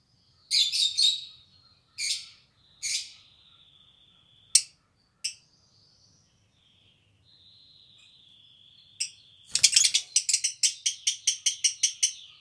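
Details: An old aviary pair of black-cheeked lovebirds, with a nest all year but not breeding for three years, give shrill, harsh chirps in short bursts and a thin steady whistle, ending in a rapid run of about a dozen piercing notes.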